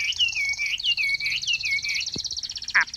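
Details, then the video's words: Kept Chinese hwamei repeating a looping whistled phrase about three times a second, over a fine high trill, with two sharp clicks near the end. "Cao cầu hót tốt - bóng bộ cực đẹp - Họat Họa Mi"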